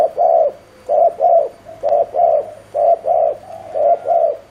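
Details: Spotted dove kept as a lure bird, delivering quick 'gù tốc độ' coos; paired, muffled low notes recur about every second, with a faint click partway through.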